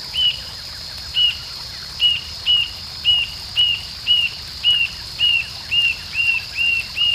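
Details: A rufous-tailed jacamar sings in Arapongas, Paraná, Brazil, a run of thin, high, slightly rising notes about twice a second, over a steady insect drone and soft background hiss.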